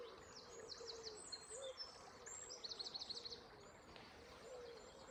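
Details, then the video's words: Early-morning birdsong between 5 and 6 am on 29 May 2022 in Ward River Valley Regional Park, Swords, County Dublin, Ireland, recorded on an iPhone SE: quiet overlapping high chirps and quick trills from several birds above soft flowing water. "Water & Birds Chirping Sounds"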